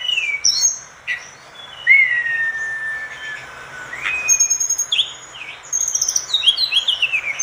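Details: Actively singing orange-spotted bulbul, kept as master song for teaching other birds: clear drawn-out whistles sliding slightly downward, short rising slurs, and a burst of high, quick twittering notes near the end.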